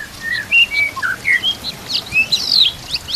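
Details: Training song of a white-rumped shama carrying kapas tembak and Cililin canary phrases: sweet high whistles and slurred notes in quick succession, some sharp upswept notes near the end.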